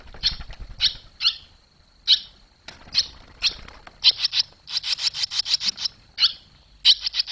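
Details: Young barn swallows fledging from the nest on 21 July 2023. High, clipped chirps arrive irregularly, then run into a rapid burst of about a dozen notes before slowing again. Soft low rumbling sits underneath.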